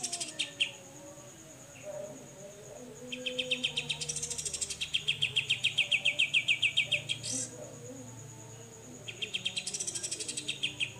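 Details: Grey-cheeked bulbul (cucak jenggot) giving besetan song, a clear tutor recording for training songbirds such as white-rumped shama: bursts of rapid, buzzy, ripping notes about four per second, with pauses between, over a thin steady high hum.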